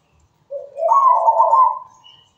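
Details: Local zebra dove in lively song, a lower soft coo rising into a longer, louder purring trill that holds steady and then fades, background otherwise quiet.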